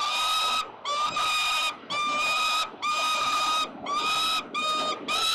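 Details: At 5:07 p.m. on 5 November 2022, peregrines at 367 Collins, Melbourne CBD, squabble over prey. Loud, rasping, harmonic screams repeat roughly once a second, each separated by a short dip in volume.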